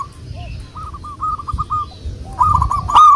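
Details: Local wild zebra dove used as a lure, giving a run of soft, evenly spaced cooing notes, then a louder, closer burst of rolling coos at the end over steady low rumble.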